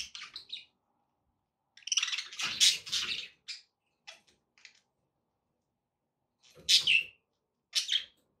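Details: Budgies chattering as company for a pet parrot: scattered high chirps, a loud burst of buzzy warbling, then a few sharp squeaky notes separated by silence.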